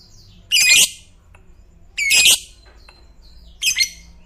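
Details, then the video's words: Lovebird of the fighter type, known for a long ngekek trill that sets others singing, here giving three loud, harsh, buzzy squawks about one and a half seconds apart, each roughly half a second long. "Suara Burung Lovebird FIGHTER Paling Dicari, ngekek panjang bikin Lovebird Lain Ikut Bunyi"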